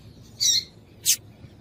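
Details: Two brief high chirps from a female double-collared seedeater, a call used to warm up a quiet male so he sings; the first note is buzzy and layered, the second a sharp click-like chip, over faint background hum.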